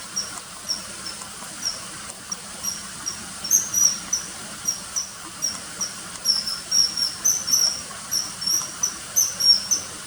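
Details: Common kingfisher calling over ten seconds: a long run of piercing high-pitched whistled notes, about three or four a second, some paired, uneven in spacing and growing louder midway, against faint background hiss.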